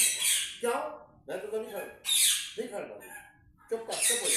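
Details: Pet parrot talking: harsh, raspy word-like phrases in short bursts of about half a second, some screechy and some more tonal, alternating with brief pauses.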